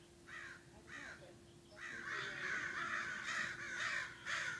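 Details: A murder of crows, up in arms in the morning: two separate harsh caws, then several birds cawing together in a loud, overlapping chorus. A steady low hum runs underneath.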